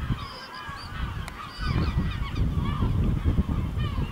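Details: A flock of gulls over a village in El Ortegal as night falls gives a chorus of short yelping and mewing calls, some rising, over a background of low rumbling wind.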